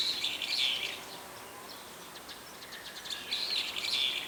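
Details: Several brown-eared bulbuls calling by day, with roughly four kinds of calls: rough, wavering squeals at the start and again at the end, separated by a quieter stretch of faint chirps.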